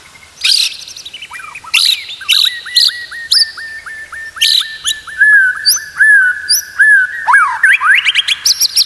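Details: Song of a white-rumped shama from a training recording for teaching caged shamas to sing: sharp high notes, then a long steady series of repeated up-slurred whistles, ending in rising buzzy flourishes.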